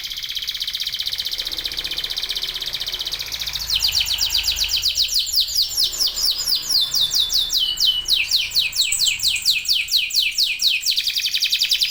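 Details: Continuous song of a local canary used as a trigger for other canaries: a steady buzzy trill opens, then bright rapid down-slurred notes tumble in quick repeated series.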